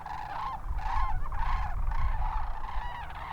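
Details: Wintering sandhill cranes near Hatch, Garfield and Rincon in the Hatch Valley of southern New Mexico, a flock giving overlapping rolling, bugling calls in rapid succession, with low wind rumble underneath.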